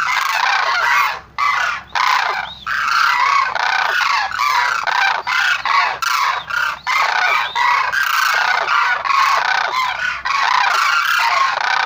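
Loud, harsh trumpeting calls from several cranes overlap in an almost unbroken chorus, with only brief pauses around two and six seconds.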